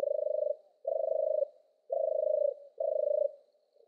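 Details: Four rolling, pulsed purrs of European turtle dove song follow one another at short intervals against a silent background.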